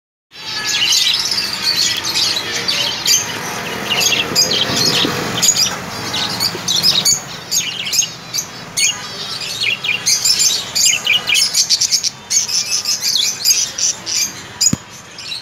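Budgerigars chatter steadily, a dense mix of high chirps, squeaks and warbled notes.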